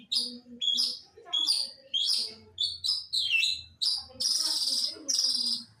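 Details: Long-tailed shrike from East Java: a fast run of bright, chirpy notes, each a short sharp burst, with brief gaps, ending in denser, buzzy, scratchy phrases. A faint low hum runs underneath.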